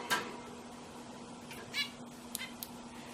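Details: Pet zebra finches singing: a handful of short, nasal, buzzy notes spread irregularly over a few seconds, over a steady low electrical hum.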